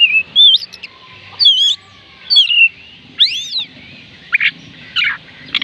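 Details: Whistled song of an Oriental magpie-robin used to stimulate reluctant birds: varied wavy and arching phrases with short gaps, ending in harsher, rasping notes.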